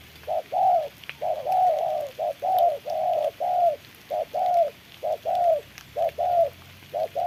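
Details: Spotted dove decoy battling a wild bird in the rain near a trap gives fast, insistent coo pairs, short then long, repeated about eight times in quick succession.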